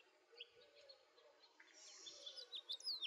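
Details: House finch (Haemorhous mexicanus) gives a quick, high warbled jumble of chirps and slurred notes, growing busier and ending in a falling sweep, over a faint hiss.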